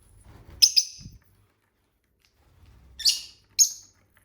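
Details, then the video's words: A lovebird gives two bursts of harsh, buzzy, high chirps about two and a half seconds apart, with faint low thumps in between. "Bird sounds for lonely lovebirds (Eating, Singing & Chirping Sounds)"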